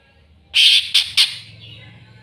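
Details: Greater green leafbird seeking an opponent: three loud grating squawks in quick succession, the first longest, trailing into soft hiss with a low background hum.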